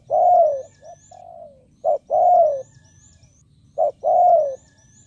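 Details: Spotted dove kept as a decoy bird to lure wild ones, repeating a two-part call about every two seconds, a short clipped note then a longer falling coo, against a low background hum.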